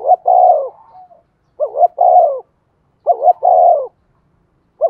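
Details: Spotted dove decoy, a female calling to stimulate cooing. Repeated coos, each with a short paired note and a longer falling hollow syllable, come roughly every 1.5 seconds in a clean, quiet recording.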